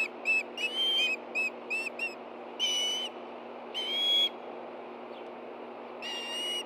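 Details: Two hungry Ospreys at a Hellgate Canyon nest in Montana, August 2013, as a fish arrives: a quick run of short high chirps, then three long, loud, level whistles with a gap before the last.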